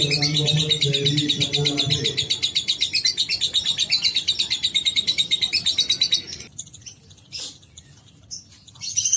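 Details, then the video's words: Pet lovebird giving its long 'ngekek' chatter: a fast, high, buzzy trill of evenly repeated notes running for about six seconds, with a low droning tone under the first two seconds, then a few scattered short chirps. "Terapi Burung Lovebird Agar Ngekek Panjang"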